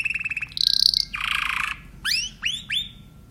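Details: Timbrado canary song made of short trilled phrases: a pulsed tour, a high bright rattle, a buzzy lower roll, then three separate upward-sweeping whistled notes, over a faint steady hum.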